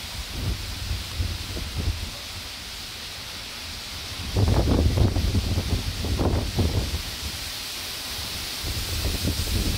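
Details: Steady wind roar and rustling vegetation at a wetland reserve, with louder gusts from about four to seven seconds; no animal calls stand out.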